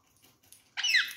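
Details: Rose-ringed parakeet, one of a pair being offered apple and orange with the seeds removed, gives a single short harsh screech with a falling pitch after quiet rustling and faint pecking.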